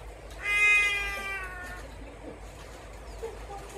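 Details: Trumpeter hornbill recorded in December 2022 at Mjejane Private Game Reserve, Kruger National Park, South Africa: a single loud, mewing, cat-like wail lasting over a second, bright and nasal, fading down into quiet background.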